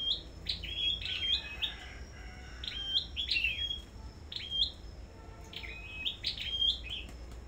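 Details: Sâu đầu đỏ songbird singing competitively at a bird farm: sharp high whistled phrases with upward flicks and short level tails, in clustered bursts separated by brief pauses, with low background noise.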